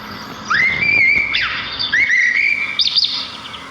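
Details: Small songbirds singing in nature: long clear whistled notes that rise and then hold steady, two main phrases with softer high chirps above. There is faint background hiss.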